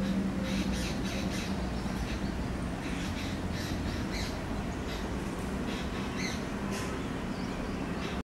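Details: White-breasted waterhen (Amaurornis phoenicurus), call.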